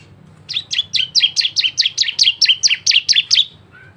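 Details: Bar-winged prinia song with variations, used as a lure to make other prinias sing; a fast run of about fourteen sharp, high, two-part chirps delivered evenly over three seconds, then silence.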